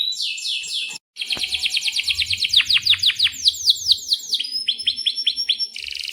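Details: Canary in full, long rolling song used as a lure and tutor for young canaries: fast repeated sweeping trills about six per second, then rapid buzzy rolls and high chirped notes, with a brief silent break near the start.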